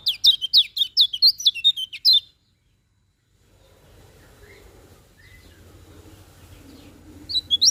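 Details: Morning song of a Lemon-bellied white-eye, a rapid string of piercing, high, twisting notes for two seconds, a pause with faint low noise, then the song resumes briefly.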